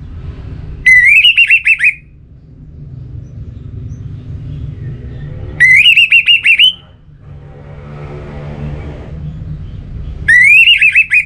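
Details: Orange-headed thrush (Geokichla citrina) song used as a lure sound to prompt a captive bird to sing: a harsh, rising, trilled phrase about a second long, repeated every four to five seconds over a low background hum.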